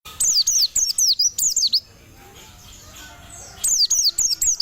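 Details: Javan white-eye kept as a cage bird, sunning in the morning, sings bursts of high, rapid down-slurred whistled notes, two phrases separated by a quiet pause of nearly two seconds.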